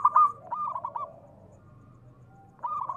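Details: Actively calling local zebra dove, a recording meant to provoke other doves to answer. A quick ringing coo phrase breaks into choppy notes, followed by a pause over low hum and the start of the next phrase.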